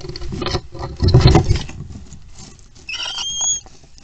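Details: Little owl in a nest box on 23 April 2022, as the male brings in a mouse as prey: rustling and bumping in the box, then a thin, high, slightly rising whistle with a faint overtone, lasting under a second.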